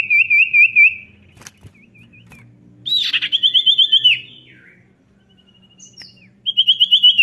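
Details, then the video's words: Energetic song of a common iora (cipow), used as a lure so idle birds start singing: rippling trills and a rising-falling rattling phrase, then a pause and another quick wavering trill. "Cipow gacor Ngetroll"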